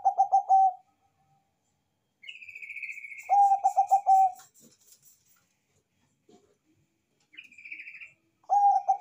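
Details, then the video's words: Loud Bangkok-type zebra dove singing manggung-style: three phrases of fast, throbbing, same-pitched coos, interspersed with higher rasping sustained notes. "PERKUTUT BANGKOK GACOR SUARA BESAR ISTIMEWA‼️COCOK UNTUK PANCINGAN"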